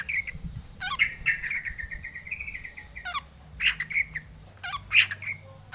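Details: Long-tailed shrike singing to stir rival shrikes into song: a sustained, slightly rising whistle broken by brisk scratchy bursts, then short whistled notes separated by pauses.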